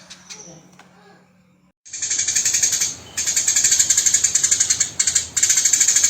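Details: Eurasian tree sparrow, tame, in rough rapid calling: after a quiet start with a faint hum, loud continuous buzzy rattling begins and runs on in long, fast-pulsed bursts with short gaps.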